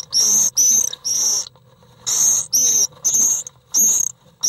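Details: Common swifts fighting an intruder inside an occupied nest box on 1 July 2012: shrill, piercing screams of about half a second each, seven in a row with brief gaps, close and loud.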